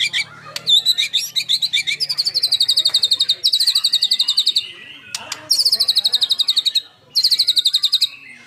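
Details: Murai batu, the white-rumped shama, in lively 'tembakan' song: long bursts of fast, evenly repeated sharp notes, roughly four to five a second, broken by short pauses and a few clicks.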